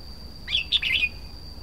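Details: Red-whiskered bulbul singing: a brief burst of bright, warbled whistled notes lasting about half a second, with a steady high electrical whine behind it.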